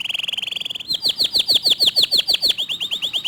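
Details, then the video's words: Local canary singing fast, tight 'tembakan' phrases: a very rapid, fine buzzy trill, then a run of ringing down-slurred whistles repeated about five times per second. "Kicau Kenari Lokal Tembakan speed rapat Suara Jernih"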